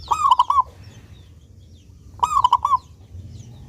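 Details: Clear-voiced local zebra dove singing steadily, used as a lure so doves sing diligently: a four-note mellow cooing phrase, a pause of roughly one and a half seconds, then a matching phrase.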